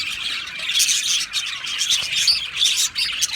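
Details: Budgerigars chirping and chattering together in an aviary colony, a dense overlapping mass of rapid high twittering and short squawky notes with no pauses.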